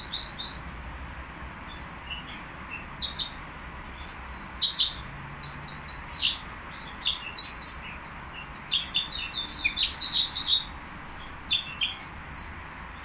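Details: Nightingale at a bird market giving a long run of varied high chirps, short whistles and trilled bursts, delivered in irregular clusters every second or two against steady background noise.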